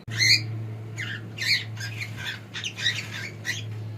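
A cockatiel gives a run of scratchy, warbling chirps and squawks in uneven bursts, over a steady low hum.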